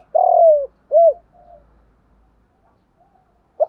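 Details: Spotted dove cooing to rouse trained male birds: the end of a phrase with a long, trembling, falling coo and a rounded final note, then quiet and the start of another note.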